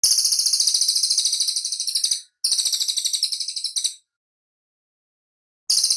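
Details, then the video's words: Cililin bird song as a clean master recording for training cage birds: high, rapid, evenly pulsed trills about two seconds long, repeated after short pauses, with no other sounds. "BURUNG CILILIN SUARA MANTAP, BERSIH, DAN JELAS"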